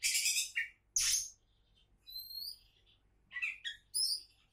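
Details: Kacer, the Oriental magpie-robin, hailed as a champion-to-be, gives loud harsh buzzy bursts, then long high pure whistled notes and quick chattering phrases, over a faint low hum.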